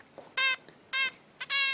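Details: A 20-day-old hand-raised red-billed leiothrix chick gives three harsh, buzzy, rasping calls about half a second apart, each a short scratchy, nasal burst: the classic adult-type contact call, a sign it is maturing.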